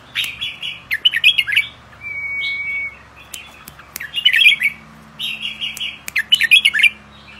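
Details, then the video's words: Young albino whiskered bulbuls kept for breeding: bright, warbled chirping phrases in short bursts, a thin steady whistled note, and scattered clicks in a quiet room. "Chào Mào Bạch Tạng Non"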